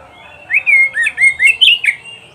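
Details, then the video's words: Oriental magpie-robin (kacer) song for teaching pet birds to sing: a brisk series of six or seven clear whistled notes, some sliding down and others flicking upward, delivered in quick succession. "SUARA KICAUAN BURUNG KACER TERBAIK"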